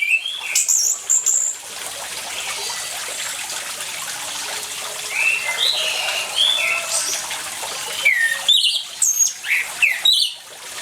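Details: Orange-headed thrush in persistent song, meant to prompt silent birds to sing: varied whistled and slurred phrases, rising and falling, closing with quick chirps, all set against continuous flowing water.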